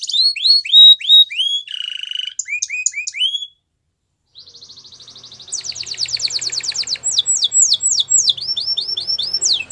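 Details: Training song of a Belgian canary: varied whistled rising notes and a low buzzy roll, then about a second of silence, followed by a quick rattling trill and a run of loud falling sweeps.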